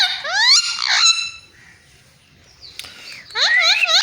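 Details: Talking parrot imitating a cat's meow: harsh, harmonic-rich meow-like calls sweeping upward then falling, a pause, then a second burst of bent, wavering notes.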